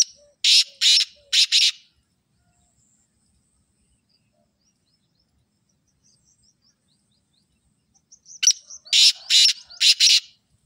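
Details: Black francolin calling twice, well apart. Each phrase is a rapid run of harsh, scratchy, buzzing notes. Faint high twittering is heard between the calls.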